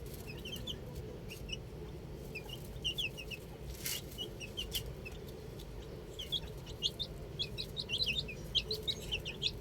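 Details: Outdoor baby chicks peep in high, brief, falling notes, sparse at first and then crowding into rapid overlapping chirps near the end, with a sharp click midway and a low steady murmur behind.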